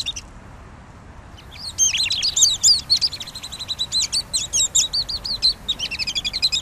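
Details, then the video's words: Pygmy nuthatch: after a quiet start, an excited run of high squeaky twittering notes, then steadier, quickly repeated sharp chips continuing to the end. "Canto del Trepador Enano"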